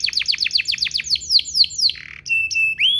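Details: Canary singing to prompt other canaries: a rapid series of descending chirped notes, a short low buzz, then clear steady whistled tones ending in a rising sweep.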